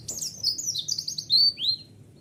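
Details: Short burst of white-eye lure song: a fast, high, thin twitter of sliding notes ending in two clear rising-falling chirps, then near silence.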